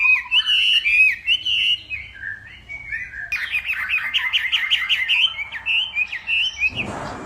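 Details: Northwest Vietnamese hwamei singing in a morning contest: sustained clear whistles at first, then a rapid run of rhythmic looping whistled notes, ending in a short burst of rustling noise.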